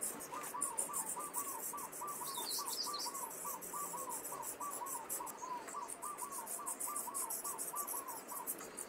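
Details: Young common starlings (Sturnus vulgaris) in a cage in Liepāja, Latvia, May 2024, give rapid short, bending mid-pitched notes, several a second, over scratchy high chatter and hiss, with city sounds behind.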